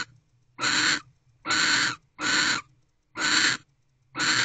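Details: Barn owl at 3:02 am on 31 December 2023, standing guard at its nest box door; five rasping, breathy hisses roughly once a second, each about half a second long, with near silence between.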